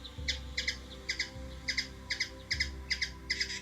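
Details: Hummingbird in Washington DC, USA, giving short, sharp chips in quick pairs and triplets, about two or three a second, over a steady low mechanical hum.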